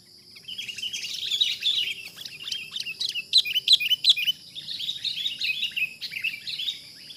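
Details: Chattering chirps from a wild sooty-headed bulbul caught up in a trapping attempt, about three notes per second, some sharp and clipped, over a steady buzzing insect background.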